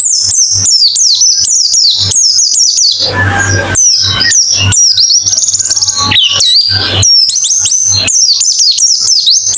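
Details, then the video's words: White-eye singing for a quick therapy and contest-simulation track: quick high chirping runs, broken midway by a rougher, noisier passage of mixed twitters before the rapid high notes return. "Terapi Pleci Cepat ngalas buka paruh"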